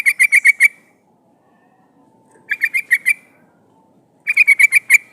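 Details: Female yellow-vented bulbul calling to a male, used as bait to pull in wild birds: three bursts of rapid bright chattering notes, five to seven per burst, spaced about two seconds apart.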